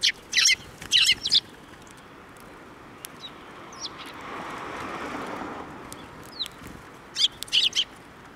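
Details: Sparrows flying in to be fed at a Tenmangu shrine on 21 April 2024; two short bursts of bright, rapid chirps open and close the recording, separated by quieter background hum.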